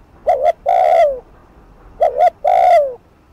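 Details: Spotted dove cooing on a decoy to provoke a rival, in the fast 'thúc gù' style: two phrases, each a short double coo followed by a long, drawn-out, falling coo, low and hollow-toned.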